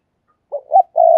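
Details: Ornamental decoy spotted dove calling: a short coo and a slightly higher coo, then a sustained, level coo cut off abruptly at the end.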